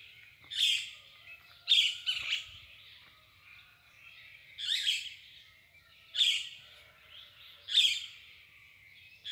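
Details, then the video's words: Birds singing at dawn: harsh, buzzy bursts of song repeated roughly every one to two seconds, with fainter chirps in between against a quiet background. "O canto das aves al amanhecer"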